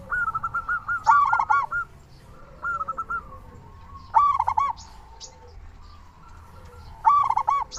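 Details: Vigorously singing local zebra dove, played to prompt silent doves to call. Quick purring coo notes run between three loud, buzzy, ringing bursts spaced about three seconds apart, over a faint low hum.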